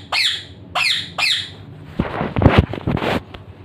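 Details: An Indian ring-necked parakeet (Psittacula krameri) gives three sharp, harsh squawks sweeping down from high pitch at half-second intervals, followed by clattering, thumping noise.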